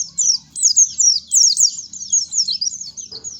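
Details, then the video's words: Short burst of Oriental white-eye song used to coax untrained birds into singing: a quick run of bright, slurred high notes, each swooping downward, delivered back to back with little gap. "COCOK BANGET NI BUAT PANCINGAN BURUNG PLECI BAHAN BIYAR CEPET BUNYI"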